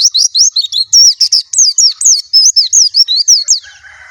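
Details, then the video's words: White-eye song, a fast even series of looping, high whistled notes, each slurring up and down, about four per second. "suara burung plecci"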